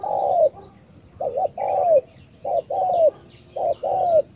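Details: Cà Mau spotted dove cooing in a steady cycle: a quick double hoot then a long falling slurred note, about once a second, with faint high bird chirps behind.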